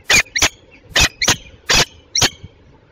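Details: Peregrine falcon, a Belgian female, at Tilburg Westpoint on 27 June 2024 at 08:08; six harsh, grating bursts in close pairs and singles, rich in overtones, spaced over three seconds.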